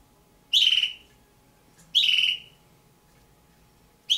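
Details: Two captive juvenile red-billed hornbills: loud, harsh, rasping calls with a slightly falling, buzzy tone, three calls about one and a half to two seconds apart, each lasting roughly half a second, in a quiet room.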